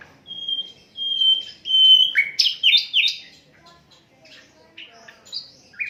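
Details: Asian brown flycatcher singing, unedited recording used to tutor songbirds: two thin steady whistles followed by loud descending slurred chirps, then quieter scattered high notes.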